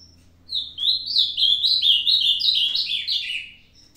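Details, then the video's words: Ultramarine grosbeak, an elderly kept bird, 22 May 2022: a loud three-second song of quick, downward-slurring whistled notes strung tightly together, ending abruptly, with a faint low hum behind it. "Azulão Pedra Bruta - meu "veinho" ainda mandando bem"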